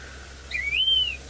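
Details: At 5:30 AM on 26 January 2018 in Djuma Game Reserve, Sabi Sand, South Africa, a yellow-throated longclaw, a grassland bird, sitting beside the road gives one clear drawn-out whistle that slides upward, holds, then dips slightly, over a faint engine hum.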